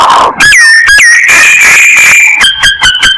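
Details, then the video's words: Myna lure call from Vietnam: loud clear whistled notes rich in overtones, some sliding upward, then a long sustained whistle and a quick run of repeated bright notes at the end. "Tiếng Chim Sáo Kêu Mồi"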